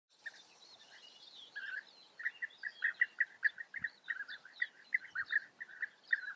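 European bee-eaters give rolling, liquid 'prruip' notes, about three a second, with several birds overlapping and fainter higher twittering above.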